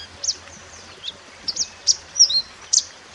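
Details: Natural mountain white-eye song, used as master song for teaching other birds: sparse, very high, sharp chirps and brief whistled notes, single or in pairs, separated by short gaps over faint background hiss.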